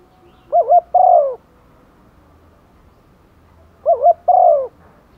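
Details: Rainy-season calling of a decoy female spotted dove luring males: two soft cooing phrases about three seconds apart, each a quick wavering double note then a drawn-out, downward-sliding coo, with a quiet background.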